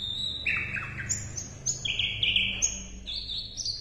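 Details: Asian brown flycatcher singing as a training tutor for caged songbirds. Thin, high whistles alternate with lower, slightly buzzy notes in quick, uneven steps against a faint low hum.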